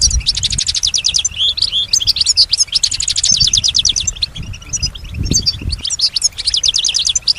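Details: European goldfinch, a caged female, in lively imitative song: rapid runs of repeated ticking notes, tinkling twitters and short buzzy phrases, high and continuous, with low background rumble.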